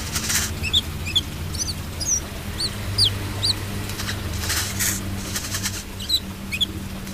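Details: Brown-throated sunbird in full song: a run of sharp, high, downslurred whistled notes, irregularly spaced at roughly two or three per second, over a steady low mechanical hum and some broadband noise bursts.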